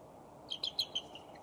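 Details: A bald eagle pair rests on a branch by their Decorah nest in the last afternoon sunlight, 5 January 2011, around 3:55 PM, calling to each other: four thin, high, squeaky chirps, then two fainter notes, with soft hiss.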